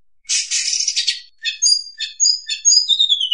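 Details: Oriental magpie-robin song played as a trapping lure: opens with a harsh scratchy burst, then several clear whistled notes and a descending slurred whistle, all high and crisp.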